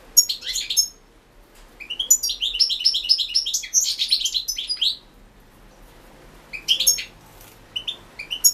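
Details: Competition song of a European goldfinch, 2016 internet World Championship in Goldfinch Song: bright, jangling high twitters and buzzy trills in two long phrases separated by a short pause, ending with scattered sharp chirps.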